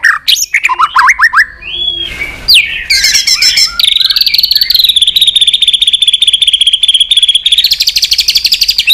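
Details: White-rumped shama flicking its tail while singing in competition, with a long song of many forest-style phrases: rising whistled notes, a noisy burst, then a long fast run of sharp repeated chips.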